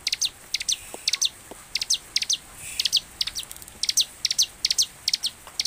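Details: Bar-winged prinia (ciblek) lure song to make birds sing quickly: clustered high chirps and short rapid bursts of sharp notes in uneven groups, with soft background hiss.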